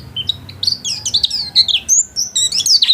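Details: Domestic-class white-eye singing energetically in a continuous, warbling stream of high, squeaky whistled notes and slurred chirps, fast and varied, with hardly any gaps.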